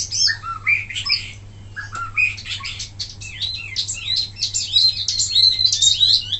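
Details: Wambi mini singing loudly for training other birds, a busy run of high chirps, quick downslurred whistles and trills, fast and irregular, with a steady low hum beneath.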